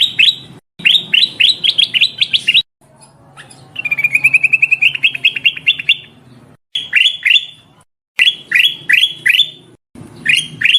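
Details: Black-crested bulbul female calling the male, played to lure birds: quick runs of sharp, high chirps split by abrupt silences, with a middle stretch of fast, even rattling notes that step slightly upward.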